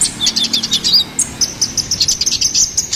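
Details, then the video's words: High, rapid chirping song of a ruby-cheeked sunbird in gacoran style, used to lure and tutor songbirds: sharp ticking notes running into an even string of thin repeated whistles. "SUARA GACORAN KONIN KOLIBRI NINJA"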